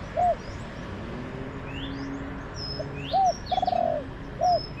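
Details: Wild spotted dove responding to a decoy among orchards: clear short arched coo, pause, then another coo, a long vibrating croo, and a final coo, with thin high chirps from small birds above.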